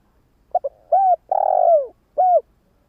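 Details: Cooing phrase from a spotted dove used as a decoy to get new doves calling fast: double introductory note, mellow coo, long descending rough coo, then a crisp closing coo in a quiet setting.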